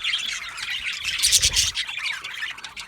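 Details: Budgies chirping contentedly: a continuous high, scratchy chatter of many birds, peaking in a loud squawky burst halfway through before easing off.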